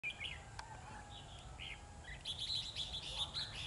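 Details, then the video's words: Wild-caught young magpie-robin singing with loose, scattered whistled and chirping notes, some rising, then a denser run of bright high twittering in the second half, over steady background hiss. "Bổi ché căng đét giọng hay"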